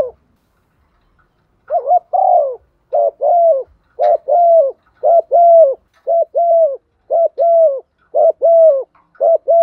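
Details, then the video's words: Female spotted dove giving thúc gù and calling coos, used to lure birds: paired low hooting coos, a quick wavering note then a longer falling one, repeated steadily about once a second with no other sounds. "tiếng chim cu gáy MÁI thúc gù, tiếng chim cu gáy mái gáy gọi"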